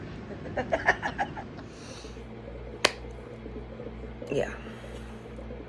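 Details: Brief soft speech and a sharp click in a quiet indoor room, with no animal calls.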